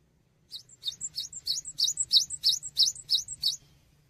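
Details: Cinereous tit (gelatik batu) in full song for training songbirds: about ten sharp, high chirps repeated evenly, each with a brief higher tail note, building louder across three seconds over low background hum.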